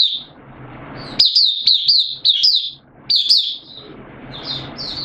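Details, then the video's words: Oriental white-eye kept as a caged hobby bird, in open singing on 8 September 2022, its form said to have dipped a little; rapid chains of high, slurred, whistled notes in two main bursts, with faint background hum. "Mata Puteh Kitaro Buka Sing 08092022 Form dipped a little"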